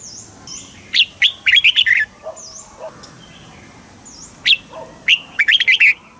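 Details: Song of a red-whiskered bulbul from Thailand in the southern master style, used to stir up caged birds and train young ones; two quick bursts of rich chirping notes about three seconds apart, with soft lower notes and high whistles between.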